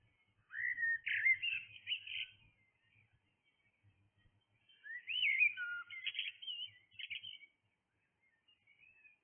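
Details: Blackbird singing in the early hours of the morning: two rich, fluting whistled phrases with warbling turns, separated by a few seconds of quiet, over a faint low rumble.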